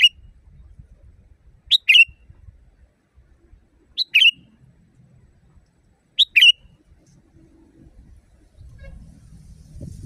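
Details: Sooty-headed bulbul phrases used to train caged birds: short bright two-part calls repeated about every two seconds, four times, with soft low rumble and a louder noise at the end.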